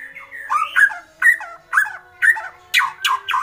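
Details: White-rumped shama, agitated, giving kretekan calls: harsh, squawky notes with strong overtones, starting with slurred wavering phrases and then repeated about twice a second in short, mid-pitched bursts.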